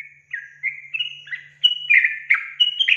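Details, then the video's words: Yellow-vented bulbul lure song used to provoke young wild-caught bulbuls into singing: a rapid run of bright, slurred whistled notes, stepping up and down, in quick bursts of about three notes per second, with a faint low hum behind. "Pancingan Trucukan Bikin Trucukan Bakalan Langsung Emosi"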